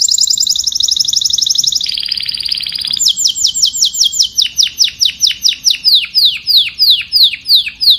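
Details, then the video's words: Canary song calling the flock opens with fast, buzzy high trills that shift to a lower pitch, then breaks into a steady run of piercing, downward-sweeping whistles repeated several times a second. "Tiếng chim Hoàng Yến hót gọi đàn"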